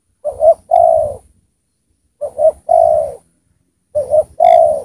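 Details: Well-singing decoy spotted dove used to lure wild spotted doves down. Low, soft cooing phrases repeat about every two seconds, each a short double coo followed by a longer rolling coo, with quiet pauses between.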